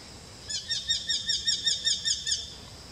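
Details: A Kashmir Eurasian hobby utters a short run of about ten shrill, ringing kew notes at a steady quick pace, over quiet background hiss.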